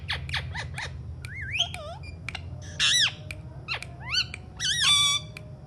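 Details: Talking Alexandrine parakeet giving short rising harmonic phrases, a few louder buzzy bursts and quick downward sweeps, spaced irregularly with pauses between, against a constant low room hum.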